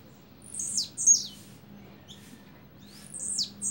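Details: Blue-black grassquit double song, two high, downward-slurred buzzy notes delivered close together, then a short pause and another paired phrase.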